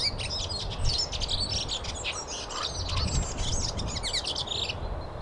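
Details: Waxwings in Finland, a flock giving many thin, high trilling calls that overlap continuously above a steady low rumble of wind or environmental noise.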